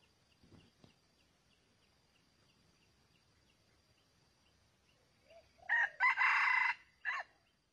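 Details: Red junglefowl, recorded during wild junglefowl trapping with a long-waiting decoy, gives one loud, harsh crow after several quiet seconds with faint ticking, clipped short and ending with a brief final note.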